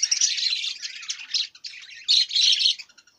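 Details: Budgerigar giving a loud, dense, continuous warbling chatter of scratchy high chirps and squawks, briefly dipping twice before a final burst and a few soft trailing notes.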